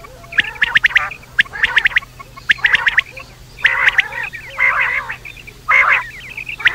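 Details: Nighttime quail calls: quick sharp notes at first, then longer rasping, slightly trilled phrases, separated by short pauses.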